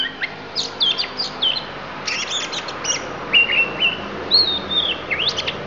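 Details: Isian song from a Lampung oriental magpie-robin: quick whistled flourishes, then a burst of buzzy chattering notes, followed by longer level and falling whistles near the end.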